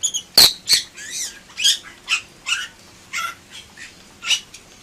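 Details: Bali myna singing in a series of separated notes, a sharp click followed by buzzy, slurred rising and falling phrases about every half second, against faint background hiss.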